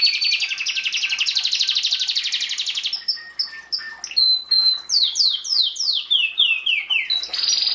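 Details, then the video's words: Belgian canary singing for breeding season chicks in 2016; a long rapid buzzy trill gives way to clear whistles and then a series of loud falling swoops, with a short trill at the end. "Canario belga cantando (MELHOR CANTO) para encartar filhotes"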